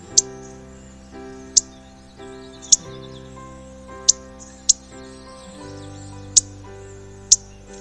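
Indigo Bunting giving sharp, very high, dry spit chips, about seven in eight seconds at uneven spacing, over faint steady low tones like quiet music.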